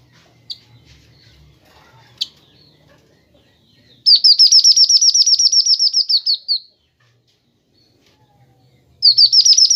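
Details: Kinoi bird, used as a master recording to train and lure birds: after a few faint clicks, a fast run of high, buzzy trilled notes lasts about two and a half seconds, then starts again near the end.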